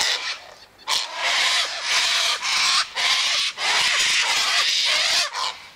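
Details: A flock of sulphur-crested cockatoos eating scattered sunflower seed, wheat and birdseed mix at a gate; an almost continuous wall of harsh, grating screeches with only brief gaps.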